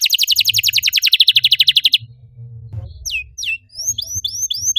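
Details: Canary lure song to encourage other canaries to sing: opens with a two-second dense, buzzy trill of very fast notes, then shifts to scattered sharp falling whistles and rising slurs.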